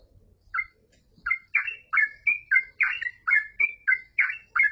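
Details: A brief quiet pause, then a yellow-vented bulbul bursts into 'gacor full ropel' song, a quick series of a dozen loud, gurgling, slurred chirps packed closely together.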